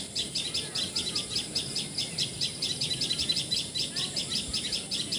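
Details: In Assam, India, a common tailorbird, locally patxhia sorai or tiposi sorai, gives a long series of bright, clipped chirps at a quick, steady pace, about two to three per second, with soft ambient noise beneath.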